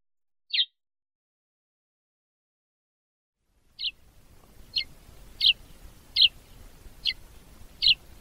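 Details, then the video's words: Sparrow from Africa chirping: one sharp descending chirp, a pause, then a run of six similar chirps roughly every two-thirds of a second over a low, steady background hiss. "Воробей. Африка. Голоса птиц"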